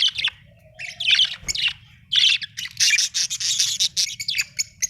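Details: Budgerigar, described as happy, chirping with dense scratchy warbles and squawky notes that build into a continuous chattering stretch in the second half, over a faint low hum.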